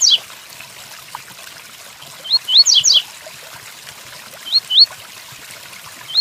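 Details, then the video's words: A double-collared seedeater sings the Tui Tuí pattern over continuous rain sound: rising paired whistles and short clusters of high, sharply falling notes, spaced irregularly. "Tui Tuí Fibra pelo coleiro Capricho com som de chuva"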